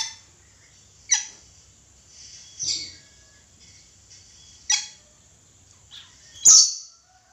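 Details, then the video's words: A red lory gives harsh, grating screeches, four loud bursts spaced about one and a half to two seconds apart, over a faint low hum. "Suara asli nuri red lory gacor"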